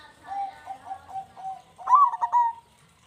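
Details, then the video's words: A local zebra dove sings vigorously in the big "kung" voice style, used as a lure to prompt other zebra doves to sing. It gives a soft series of low cooing notes, then louder, richer rolling coos. "Perkutut Lokal GACOR Suara Kung Besar Pancingan Burung Perkutut Agar Bunyi"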